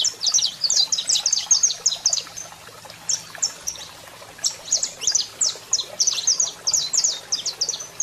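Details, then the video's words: Male saffron finch in full song as a female calls, meant to stimulate other birds: two quick bursts of high, sharp chirps separated by a short pause, each burst a rapid sputtering series. "Canario da Terra Cantando Muito e Fêmea Chamando Top Para Foguear!!!"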